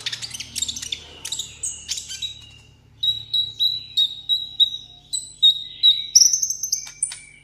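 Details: Caged sunbird, kept as a tabletop pet, singing in solo contest style: rapid high, thin chirps and sharp descending notes, then a run of bright clipped whistles repeated about three times a second, with a faint low hum behind.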